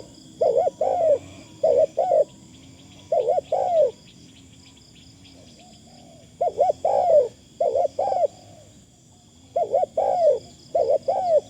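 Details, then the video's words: Decoy spotted dove calling with thin phrasing. Bursts of paired, rounded coos are broken by a quiet gap of several seconds mid-way, with a steady insect-like high drone in the background. "ต่อนกเขาใหญ่ เสียงดีมากคารมบางๆฟังแล้วเพลิน"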